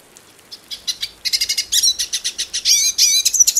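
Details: A hooded siskin, one of Brazil's birds, starts with sparse soft chirps that quicken into a loud run of sharp high notes and drawn-out whistled slurs.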